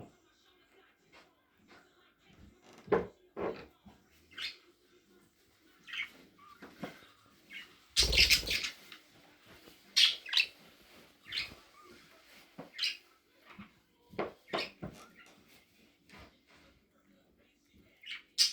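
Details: A two-year-old male budgerigar gives quick, scratchy chirps and chattering notes in irregular bursts, with a few louder squawks.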